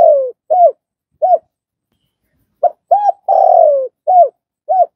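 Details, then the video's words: Spotted dove cooing for training newly caught birds: scattered short curved notes, then a complete phrase with a long buzzy falling coo framed by brief arched notes, loud and close with no other sounds. "Tiếng cu gáy"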